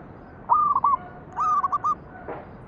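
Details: Zebra dove song played as a lure to draw other doves into singing: two short cooing phrases, each a clear mid-pitched whistle broken into stuttering rolled notes, about a second apart over a faint steady hiss.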